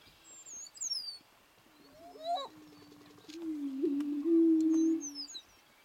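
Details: A greater prairie chicken at its mating display gives a low, hollow, moaning boom of about three seconds with a brief rising swoop. Thin high whistles from other birds come before and after.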